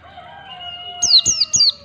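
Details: White-eye (pleci) 'ngalas' lure for teaching young birds beat-counted song: three rapid, shrill downslurred whistles following the tail of a rooster's long crow.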